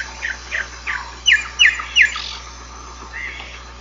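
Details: Song of the giant cowbird, locally xexéu bico de osso or iraúna de bico branco: three soft falling notes, then three loud sharp downslurred whistles about a third of a second apart, and a brief warble.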